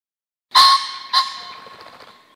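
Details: Wild introduced male Common Pheasant in Réunion highland pastures gives two loud, harsh crowing notes about half a second apart, followed by a rapid fluttering whirr of wingbeats that fades out.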